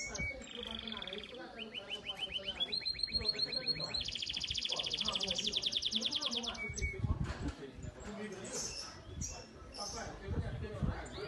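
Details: Belgian canary, a domestic yellow bird in a singing competition, delivering a series of rolled high trills that rise in pitch step by step, then stopping as voices and room noise take over.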